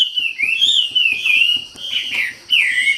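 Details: Wambi giving a rich whistled song: smooth, drawn-out notes that rise and fall in long, swooping phrases with almost no pause, and a brief gap before a final downslurred whistle.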